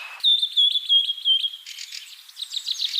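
A common myna gives a high, warbling whistle held for over a second, then breaks into a run of harsh, scratchy chattering notes.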